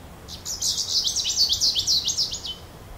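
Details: Goldfinch giving a lively string of rapid, high, tinkling twitters lasting about two seconds, notes sliding down in pitch, with quiet background noise.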